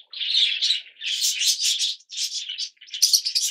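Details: Yellow Fischer's lovebirds, a colour mutation, kept indoors: harsh, buzzy chattering bursts in quick runs of about half a second, separated by brief pauses, dense and high-pitched throughout.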